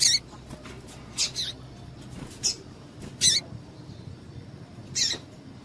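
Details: Female double-collared seedeater giving calls meant to excite males kept for singing tournaments: five short, piercing high chips at irregular intervals of one to two seconds, some doubled, over steady low room hum.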